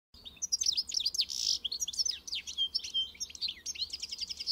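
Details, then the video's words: European goldfinch singing an encarte-style song: a fast, continuous twitter of bright, high, buzzy chirps and short trilled notes, dense and unbroken from start to finish over a faint low hum. "melher canto do Pintassilgo encarte"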